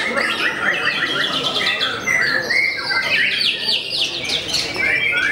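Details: Contest white-rumped shama famed for cowing its opponents sings rich, fast phrases: bright rising and falling whistles mixed with sharp chips and quick rattling trills, steady and loud throughout.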